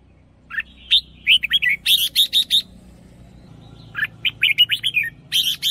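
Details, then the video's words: Red-whiskered bulbul kept as a decoy bird, singing with a doubled phrase: two bursts of quick, bright, warbled whistled notes, each about a second long, separated by a short pause. Faint low background hum. "เสียงนกกรงหัวจุก เพราะๆ"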